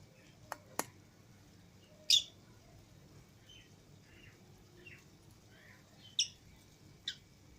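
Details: Lovebirds, a green Fischer's pair and a lutino pair, let out of their cage alongside other lovebirds indoors; sharp, high chirps scattered across the clip, with a few dry clicks early on and quiet pauses between calls.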